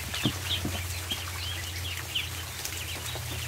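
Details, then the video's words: Ducklings in a barn at feeding time, a chorus of high rising-and-falling peeps repeated several times a second, with sharp pecking taps and a steady low hum beneath. "More Duckling Therapy"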